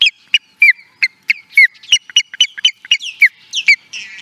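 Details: Osprey at Charlo, Montana, USA, in 2017, uttering a rapid, continuous string of high, piercing, downslurred whistled chirps, roughly four per second, rising in intensity.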